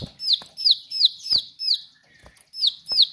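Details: Bar-winged prinia singing sharply: high, falling whistled notes repeated roughly three per second, a short gap near two seconds, then more notes, with faint clicks between.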